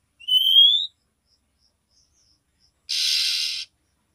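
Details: Female oriental magpie-robin calling the male to stir his breeding urge: one long, rising whistled nyiul note, a pause with soft faint ticks, then a harsh, hissing rasp.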